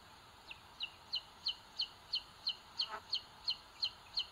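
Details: Booted eagle chicks in a nest in Sierra de Guadarrama, Spain, 2022, on a live nest camera: a thin, high two-part chip repeated steadily about every third of a second over a constant background hiss.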